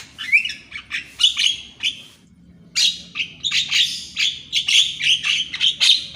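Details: Javan myna singing in the morning for training birds: continuous loud, buzzy, chattering phrases of squeaky notes with a brief pause near the middle, dense and energetic.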